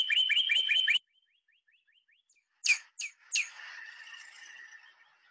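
Northern Cardinal giving a quick run of about six bright, slurred whistled notes, then fainter repeated notes and a few louder sweeping phrases.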